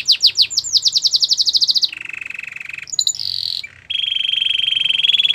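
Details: Belgian canary singing to warm up before females: quick bright trill of slurred notes, then low buzzing rolls, a brief high phrase and a long steady rattling trill.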